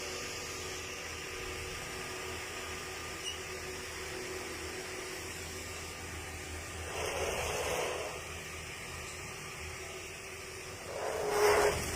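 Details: Steady indoor hum like a fan or air conditioner with faint rustling swells and no animal voices.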